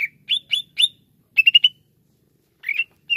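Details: Greater green leafbird kept in a cage, phrases of short whistled chips: three spaced notes, a quick trill of four, then pauses and two more brief rising-falling notes, clear against silence.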